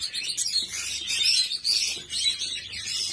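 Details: Several rainbow-coloured budgerigars chatter at once, a dense, continuous warble of high, scratchy chirps and squeaky twitters with no pauses.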